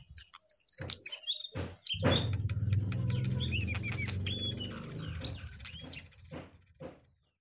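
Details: Jongkangan in lively song: a fast jumble of high whistles, rapid chirps and downward-sliding notes, with a low rumbling hum in the middle and scattered clicks.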